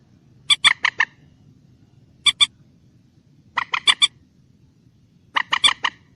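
Common moorhen giving harsh, clucking notes in quick bursts of two to four, about every one and a half seconds, over a faint low hum.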